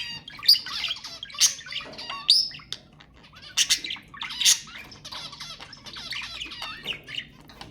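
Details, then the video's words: Budgerigars singing to encourage breeding: a chattering warble of squeaky chirps, grating squawks and short whistles, busier at the start and softer toward the end. "تحفيز البادجي على التزاوج حفز طيورك"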